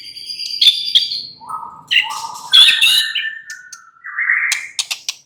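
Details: Relaxed song of a white-rumped shama (murai batu): steady whistled notes at several pitches, a few low mellow tones, scratchy bursts and a rising whistle near the close, delivered continuously.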